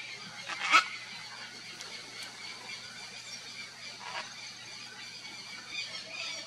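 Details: A nesting pair of green-winged (red-and-green) macaws (Ara chloropterus) tending their nest. One gives a brief, harsh, raspy squawk early on, followed by quiet background hiss and a few faint distant sounds.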